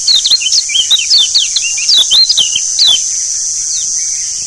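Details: Lombok yellow white-eye (kecial kuning) lure song, meant to make birds healthy and sing diligently: rapid high chirping twitters and sweeping notes in dense bursts, over a constant shrill insect-like hiss.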